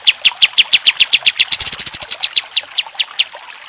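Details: Pied triller song used as a training recording: a quick run of sharp, bright notes speeding into a higher, tight trill, then slowing back into spaced chips.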